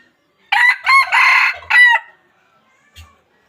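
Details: Close, loud crowing of a wild chicken of the kind used to lure birds to a trap: a broken cock-a-doodle-doo in four strained bursts, then silence with one faint knock.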